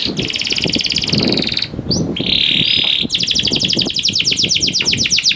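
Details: Young canary lure song for encouraging other canaries to sing, with dense rapid trills, a sustained buzzy high note, then a fast rhythmic trill, over a constant background hiss and low noise.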